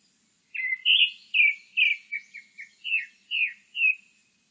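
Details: A longer Grey-backed thrush song of about nine whistled notes, loud slurred phrases mixed with short softer pips. The notes repeat roughly twice per second, all clear and flute-like.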